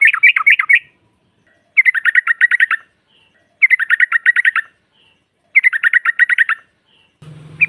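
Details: Trucukan (yellow-vented bulbul) female song meant to make rivals respond: four bubbly, rapid chattering bursts about a second long, spaced by two-second silences, ending with a low hum.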